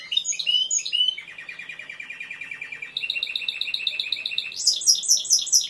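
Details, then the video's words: Timbrado canary song opening with high chirpy flourishes, settling into a steady low rapid trill, then a brighter rolling tour and a loud high pulsing phrase at the end. "تسجيل طائر كناري تمبرادو#timbrado_canary_song"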